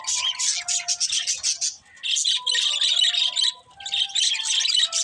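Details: Pet budgerigars warbling in three bursts of bright, grating chatter separated by brief silences. Some plainer whistled tones are woven through the noisy chirps.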